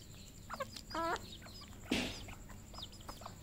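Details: Red junglefowl on a farm in Cambodia giving short clucks and a ringing, stepped squawk, then one loud harsh burst; other fowl cluck softly in the background.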